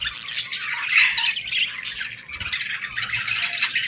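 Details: Budgie babies calling for food give a steady, scratchy, rattling squawking chatter, buzzy and dense, rising and falling slightly in loudness throughout.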